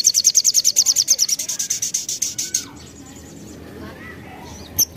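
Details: Crimson sunbird song used as a lure to make other birds reply: a long rapid series of very high buzzy notes, fading slightly, followed by quieter background and one sharp chirp.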